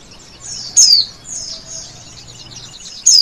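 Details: A male oriental white-eye sings thin, high chirps that slide downward. Two strong notes come about 2.3 seconds apart, separated by softer whistled sweeps over a faint low hum.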